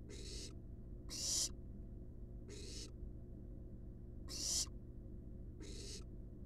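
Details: Barn owl nestlings resting inside a wild nest box under research monitoring give five rasping, noisy hisses of about half a second each at uneven intervals, with a constant low hum underneath.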